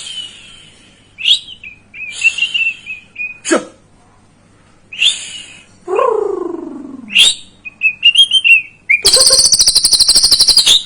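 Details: White-rumped shama song used as a lure to provoke a young bird into singing: varied clear whistles and sharp rising and falling sweeps, one lower descending slurred note, ending in a loud rapid buzzy rattle.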